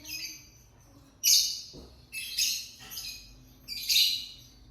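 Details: Lovebird singing and chirping: harsh, high, buzzy chirps in short bursts about every second, each a dense noisy band with a sharp onset, separated by quiet gaps.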